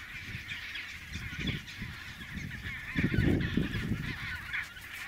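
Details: Several chinstrap penguins near their nesting colony, travelling a hard snow track from the sea; gruff overlapping honks rise to a loud, rapid burst midway, with continuous wind-like hiss.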